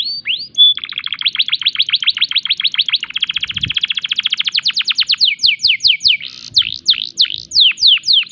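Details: Canary in breeding condition, singing vigorously with unique 'tembakan' phrases meant to make other canaries answer; brief whistles open into a long rapid trill of repeated notes, a faster buzzy trill, then slower steep descending sweeps.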